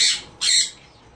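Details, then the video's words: A sun conure, filmed during mating and breeding, gives two harsh, high squawks about half a second apart, the second louder and longer, with nothing else audible. "Mating of sunconure parrot"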